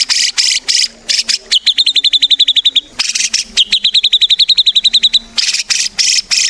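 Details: White-rumped shama song used as a lure to start other shamas singing: bursts of harsh noisy notes alternating with long rapid trills of high clicking notes, with a faint low steady hum beneath.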